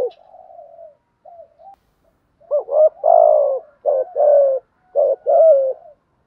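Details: Spotted dove cooing in the bản thúc song style: quiet soft coos at first, then several loud mellow phrases in a row, wavering short notes alternating with longer falling coos.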